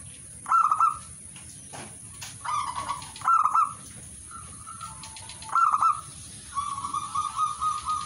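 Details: Zebra dove singing: soft, mellow cooing phrases of rolling, slightly trilled notes, repeated every second or two, over a steady background hiss and low rumble.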